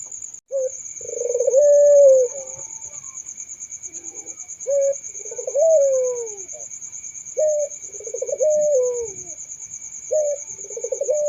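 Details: Puter dove cooing in a slow series: a short clipped note then a long, rolling coo that rises and falls, repeated four times over a steady high buzz.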